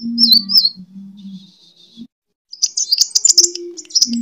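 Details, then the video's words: Lure recording of a sunbird's fighting song, kolibri tarung, meant to train birds: brief high wavering whistles, a pause, then a dense burst of sharp, rapid high chips. "Suara: -*BuRunG*- [Pancingan] ( KOLIBRI TARUNG )"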